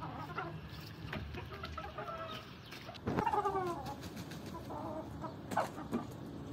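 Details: A Swedish rooster courting a hen gives scattered low clucks, then a brief harsh wavering call midway, with a few more clucks after it, over light yard noise.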